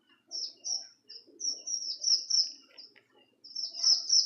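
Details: Strawberry finch, a caged songbird kept for training other birds, singing a quick run of high sweeping chirps nearly back to back, a brief gap, then another bright burst.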